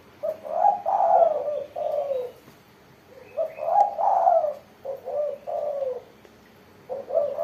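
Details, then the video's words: Spotted dove singing actively in a crisp 'mersik' voice style: deep, mellow cooing phrases of three to four hollow notes, the middle note louder and drawn out. Phrases repeat with short pauses, and no other sounds are clear. "burung tekukur derkuku gacor suara mersik"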